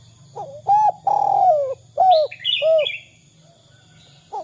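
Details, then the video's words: Spotted dove in the 'kuk 2' style, used as a lure to set other doves calling: a short coo, a long vibrating coo sliding downward, then short hooked coos, with a thin higher whistling bird briefly behind. "Suara Derkuku kuk 2 | Cocok untuk masteran derkuku lainnya agar bongkar suara dan gacor"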